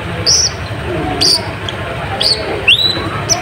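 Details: Kolibri ninja song used as a lure to provoke rival birds: short high whistled notes and a rising sweep, spaced irregularly over a noisy background with a low rumble.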